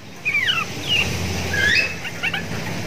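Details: Caged Sooty-headed Bulbul, hung near Javan mynas and said to sound like them, gives a few quick, liquid whistled phrases that slur down and then up, over a low background rumble.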